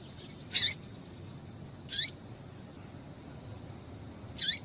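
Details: Female double-collared seedeater calling to stir up males: three short, sharp, high chips spaced about one and a half to two and a half seconds apart, each sweeping quickly downward, over a quiet steady hiss.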